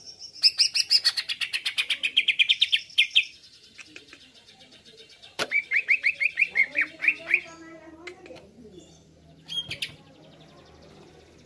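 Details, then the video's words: Greater green leafbird lure song to provoke birds: a fast buzzy rattle of repeated notes, a quiet gap, a sharp click, then a run of rapid whistled chirps and scattered softer calls. "Masteran/pancingan cucak ijo langsung emosi"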